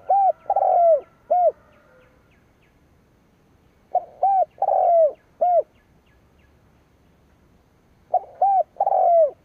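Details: Decoy spotted dove cooing to challenge rivals, repeating its phrase three times about every four seconds, each a quick run of short low coos followed by a longer falling coo and a clipped final note.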